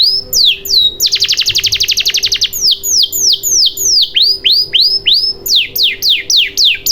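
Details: Lure recording of canary song meant to make non-singing canaries sing quickly: a few swooping notes, a fast loud rattling trill of about twenty notes, then many steep downward-sweeping whistles in quick succession.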